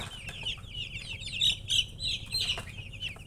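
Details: Short burst of baby chick chirping, loud, shrill overlapping peeps from several birds packed closely together over a low hum.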